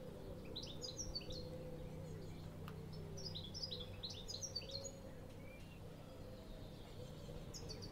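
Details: European Goldfinch calling with quick bursts of tinkling, high chirps in twittering runs, pausing between groups, then a final short flurry, against constant low-pitched background hum.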